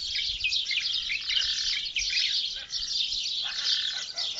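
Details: Many birds singing together early in the morning near Sidi Bettache, Morocco, a continuous bright tangle of high twittering and chirping phrases with brief steadier whistles underneath and no other clear sounds.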